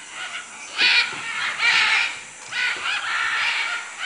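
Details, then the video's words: Macaws in Manu, Peru, calling with three or four coarse, rasping screeches, each about half a second long, against a steady shrill insect background. "Guacamayos Manu Perú"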